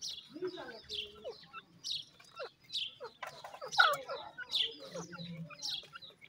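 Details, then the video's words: Dakhni teetar, or grey francolin, chicks giving a jumble of high peeps and lower warbling chirps with uneven timing, over a soft low hum. "grey francolin chicks ki voice,dakhni teetar chicks ki boli"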